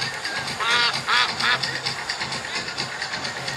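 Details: Swan at Lake Eola in downtown Orlando calling to get food: three short, nasal, arched calls within about a second, then quieter notes, over a steady wash of broadband background noise.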